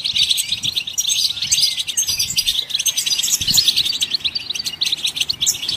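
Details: Goldfinch song to set other songbirds singing: loud, rich, unbroken twittering, dense rapid chirps and buzzes layered with scratchy high notes throughout.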